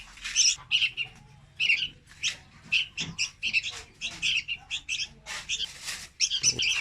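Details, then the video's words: Young Red-whiskered bulbul used as a trapping lure, giving a run of short, bright, chattering phrases in quick bursts, each note clustered high with sharp warbled accents, repeated throughout with brief pauses between phrases. "Tiếng Chim Chào Mào Con Hót Rất Chuẩn Để Bẫy"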